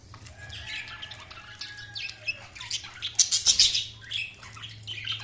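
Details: Budgerigars keep up continuous rapid chatter of mixed chirps and squeaks, with a faint steady whistle-like tone underneath early on and a louder cluster of sharp chirps in the middle.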